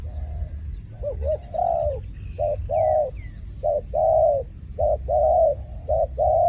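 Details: Dove giving a repeated phrase: short double coos leading into a longer coo, about six times in steady succession, with a few faint high chirps from another bird.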